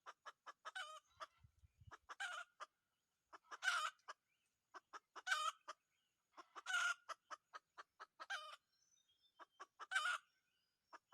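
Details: Red junglefowl rooster in a decoy hunt for wild junglefowl, giving about seven short rasping bursts spaced irregularly, each surrounded by quick ticking clicks and soft clucks.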